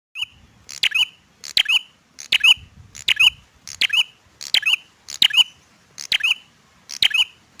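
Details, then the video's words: Male bar-winged prinia singing persistently: a loud, sharp, chirping phrase, each beginning with a high squeaky note that drops into a bright ringing chip, repeated steadily about every three quarters of a second, nine times, against a quiet background. "prenjak gacor , prenjak jantan dor"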